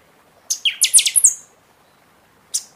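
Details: Buffy-fronted seedeater singing in season, song played to fire up other birds after their feather moult: one loud, metallic phrase of about six rapid, ringing notes, rising then dropping, followed after a pause by a single sharp note.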